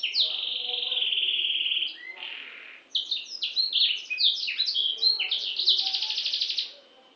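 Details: Canary of the F2 type: a long sustained buzzy trill, a pause, then varied sweeping whistles and chirps building into a dense rapid rattle before fading away.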